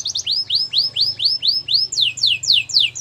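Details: Gloster canary song of arched, whistled high notes repeated evenly about four per second, turning into steeper downslurs near the end.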